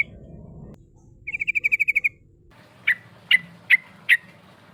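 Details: Sooty-headed bulbul, known locally as trucuk, in a rival-calling lure: a low rumble fades out, then a clear fast trill of about ten pulses, followed by four loud, separate, sharp chirps spaced roughly half a second apart.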